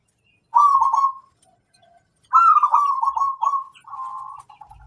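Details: Zebra dove, local wild bird, singing clearly: a short rolling coo phrase, a pause, then a longer phrase of a high lead note with fast stuttering coos ending in a lower trill.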